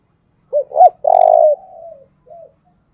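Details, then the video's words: Spotted dove kept as a decoy, calling to lure wild doves into cooing: a short low note, a rising note, then a long, buzzy, steady coo that trails off, with a soft final note. "Tiếng chim cu mồi thúc sung nghe là ghiền bổi nghe là 100% gáy"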